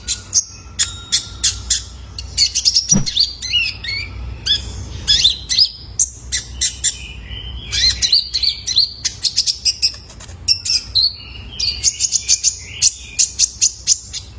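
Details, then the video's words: Juvenile male Kolibri Ninja used as a training lure for cage birds, chattering on and on. Rapid high-pitched chips come in bursts, mixed with thin whistled trills that dip and rise, almost without pause. "COCOK BUAT TERAPI KOLIBRI NINJA - SUARA ANAKAN JANTAN"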